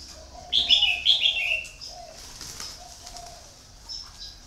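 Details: Decoy red-whiskered bulbul, used to lure many wild birds, gives one rich, bubbly whistled phrase lasting about a second, then falls quiet while low, soft cooing continues in the background.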